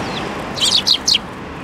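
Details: Eurasian tree sparrow fledglings at a plum tree in Tenmangu shrine grounds, 25 May 2024, coming to receive food; three sharp, high chirps in quick succession against soft background hiss.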